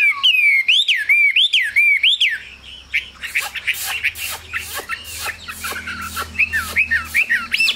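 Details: Caged Chinese hwamei opening with a series of looping whistled notes, each rising then falling. These give way to quieter, broken whistles over a low steady hum.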